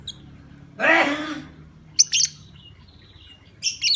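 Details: Calls of a lovebird, meant to provoke other lovebirds into answering: a rasping, noisy squawk followed by quick shrill double chirps and a final high burst, against a quiet hum.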